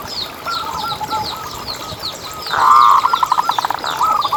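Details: Local Indonesian zebra dove in lively singing form, used as a lure to set other zebra doves singing: rapid pulsed cooing phrases in a mid pitch, louder and denser toward the end, with thin high chirps from other birds above.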